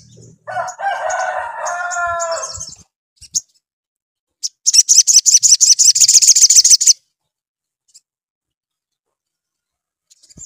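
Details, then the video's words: Sogon in strong voice, used to prompt another sogon to reply quickly: a sustained nasal, layered mid-pitched call for about two seconds, then a brisk burst of high, evenly spaced chirps lasting two seconds, with quiet gaps. "SOGON GACOR RANGSANGAN AGAR SOGON CEPAT NYAUT"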